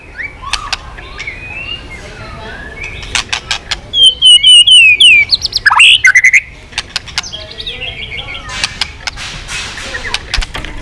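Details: White-rumped shama, being stimulated to sing with tail flicking. Scattered sharp clicks give way to a bright, high run of rapid whistled notes and a few swooping phrases mid-clip. Faint background rumble.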